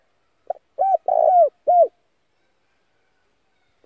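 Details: Single phrase from a spotted dove decoy call for attracting wild doves: brief opening note, a hooked coo, a longer burry coo and a downslurred closing coo, quiet surroundings.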